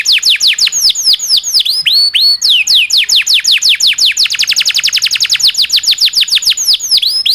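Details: Domestic canary pouring out an unbroken rolling song used to teach other canaries, mixing looping upswept whistles with long fast trains of short descending notes that speed up and slow down.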